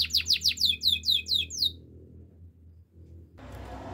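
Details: Canary song used for training: a quick series of about ten downward-sweeping chirps repeated several times a second, lasting under two seconds, then near quiet and a burst of hiss at the end.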